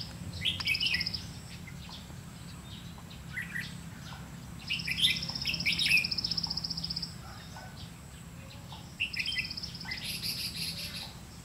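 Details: Red-whiskered bulbul decoy singing during trapping to challenge rivals: brief warbled phrases mixed with a long rapid rattling trill, and steady low background hum throughout.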